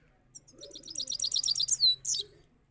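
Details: Trained caged Saffron finch singing a quick run of bright, high chips at about eight notes a second, then a slurred downward note, with soft low cooing underneath.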